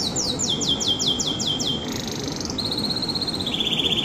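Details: Canary giving a series of loud, evenly spaced sweeping notes, then a dense buzzy roll and a lower steady pulsed trill that carries to the end, over mild hiss.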